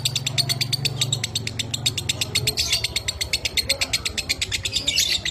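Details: Lovebird of the 'minor kering' type, kept as a pet, in a training recording meant to teach other lovebirds the double-trill 'dobelan' style: fast, unbroken run of sharp high chirps, roughly eight per second, over a low indoor hum.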